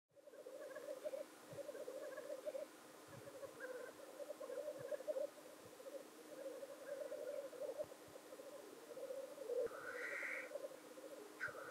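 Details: Black grouse males displaying at their traditional lek near Llandegla Forest and World's End, North Wales, 25 February 2019, keep up a continuous low, dove-like bubbling roo-koo chorus, with occasional sharp hissing sneezes near the end.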